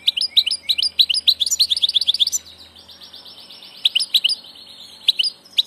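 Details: Passage ('del paso') European goldfinch singing a fast tinkling twitter of rapid repeated notes, which slides into a softer rolling trill and then sparse chirps.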